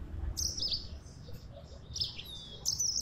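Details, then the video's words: Yellow-fronted canary singing actively, described as gacor: two short bursts of high, thin twittering notes with a brief whistled slide in between, over a low background rumble. "Burung Mozambik Gacor"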